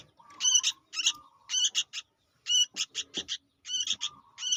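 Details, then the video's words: Young sooty-headed bulbul calls used to attract birds: coarse grating notes in quick pairs and triplets, with a thin lower whine trailing some bursts and small clicks in the quiet gaps. "suara anak burung kutilang gacor untuk pikat"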